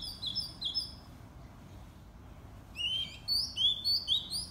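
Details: In the morning a white-rumped shama gives a few high sweet whistles, goes quiet for about two seconds, then resumes with a lively run of rising, slurred whistled phrases.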